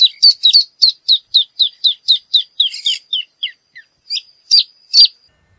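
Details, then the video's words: Rufous hornero song: a fast series of about twenty sharp, ringing notes, steady at first, then slowing and dropping in pitch before a few louder closing notes. "Hornero Canto - Rufous Hornero Bird Song"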